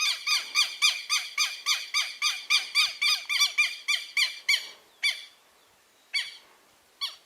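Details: Newly hatched southern lapwing chicks calling: a rapid run of sharp, harmonic-rich peeps at about four per second for five seconds, then a few scattered peeps after short pauses.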